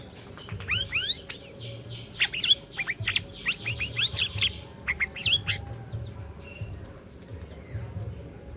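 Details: Orange-bellied leafbird in full song, used as training lure to get a silent bird singing: dense, rapid run of varied high whistles, rising and falling sweeps and chips tumbling over each other, easing to sparse notes near the end.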